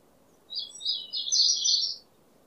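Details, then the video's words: Brief high phrase of White-rumped shama song, played to prompt a stressed, silent bird to sing: one continuous warbling, twittering burst lasting about one and a half seconds, bright and sustained, against a quiet background. "PANCINGAN MURAI BATU STRESS MALAS BUNYI"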